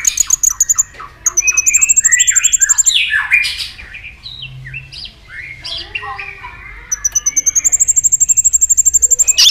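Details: White-rumped shama excited into rival singing: very high rapid trills repeated in long runs at start and end, with harsh squeals and mixed chattering in the middle.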